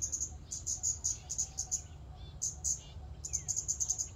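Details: Scarlet-backed flowerpecker in a public park, with thin, very high sharp ticking calls in rapid bursts of several notes, separated by short pauses, over a low background rumble.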